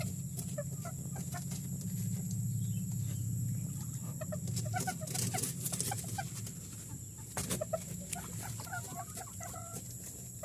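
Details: A bantam hen gives short, rapid clucks after laying her first egg, over a steady low hum.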